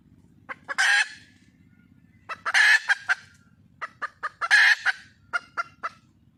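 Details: Wild red junglefowl hen calling to attract a male: three loud harsh squawks, each ringed by scattered short clucks, over a faint low background hum.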